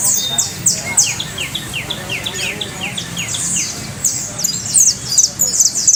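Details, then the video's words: Canary singing a trill of quick, high slurred notes, a lower row of repeated chirps joining at first, then bright rapid rolls near the end, with quiet background noise. "trino de canario"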